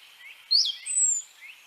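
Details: Great Tit giving a call very like the chiffchaff's 'swee' contact call: a high, bright upslurred whistle followed by a thin, level high note, with faint softer notes before and after.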